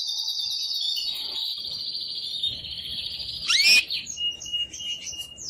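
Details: Excited male canary singing to stimulate a female to mate: a long, steady, high whistled note held for about three seconds, then a sharp sweeping chip and softer broken notes.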